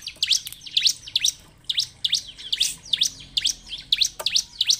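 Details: Bar-winged prinia lure recording meant to spur silent captive birds into song: loud, sweeping high chirps in pairs and clusters, about two per second, each with a quick downward flick.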